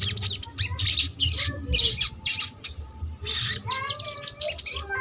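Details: Sogok ontong giving trotol-style song, a lure meant to stir silent or lazy birds into singing: rapid bursts of very high, thin chirps and squeaky notes with a few lower whistled slurs between them.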